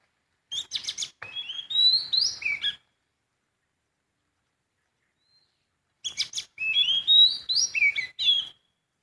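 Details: Wild sooty-headed bulbul singing two bubbly phrases, each opening with sharp clicks and chirps and running into sliding whistled notes, with several seconds of silence between them.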